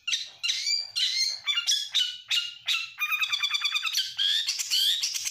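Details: Oriental magpie-robin singing while stressed, meant to provoke other birds: harsh squawky phrases repeated several times, then a rapid rattling series and scratchy whistled notes.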